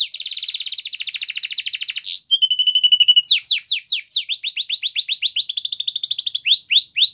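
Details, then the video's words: Canary training song built from varied tours: a long rapid buzzing roll, a steady flat piping tone, a run of steep falling sweeps, another fast trill, and closing upslurred whistles. "Canary's Most powerfull Song For Training"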